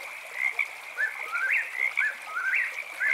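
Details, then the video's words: Eastern whip-poor-will singing at night, rising three-part whistled phrases that swoop up and sharpen at the end, loosely repeated and partly overlapping, over a steady high-pitched chorus drone. "Whippoorwill Bird Sounds"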